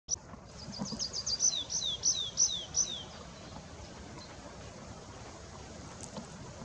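A tree pipit gives a short song phrase: high, thin notes that build into a quick series of drawn-out, downward-slurred 'seea' notes, about three per second, over faint background hiss.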